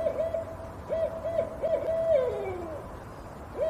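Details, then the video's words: Owl hooting: a run of short, mellow, arched hoots at a middle pitch, then a longer note that slides downward, with more hoots after a pause, against a soft background hiss. "CANTO DAS CORUJAS"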